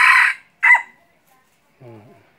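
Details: Red junglefowl decoy bird for hunting gives two short, harsh crow bursts, then a brief low human voice after a pause.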